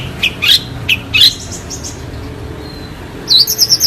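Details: Long-tailed shrike singing clearly: a few quick paired high chirps, a pause with a thin faint whistle, then a fast tumbling series of high twittering notes at the end.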